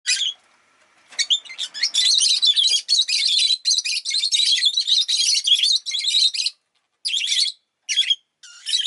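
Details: Pet rosy-faced lovebirds, several birds that chirped a lot that day, give shrill, harsh chirps in a dense, almost continuous run of overlapping bursts after a brief opening call, with short pauses near the end.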